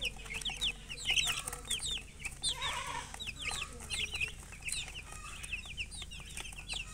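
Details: A flock of baby chicks chirping: bright, piercing peeps rising then falling, tumbling over one another continuously, with a short hissy rustle around the midpoint.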